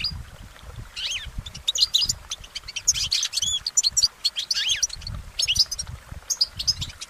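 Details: Wild goldfinch song, with quick bright chirps and slurred whistled notes that dip and rise, layered into a lively, continuous twittering phrase.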